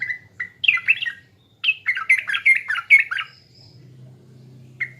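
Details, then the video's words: Sooty-headed bulbul from East Java singing a lure song: bubbly, liquid whistled phrases that rise and fall in quick jumbled bursts, with a pause midway and one short whistle at the end. "PANCINGAN TRUCUKAN PALING DI CARI‼TRUCUKAN JATIM"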